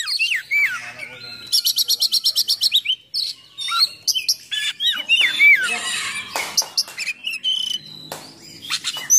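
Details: Oriental magpie-robin in full, aggressive song with coarse fill-in phrases used to provoke and train other magpie-robins; curled whistles, then a rapid machine-gun series of a dozen notes, followed by harsh chatter and sharp slurred calls.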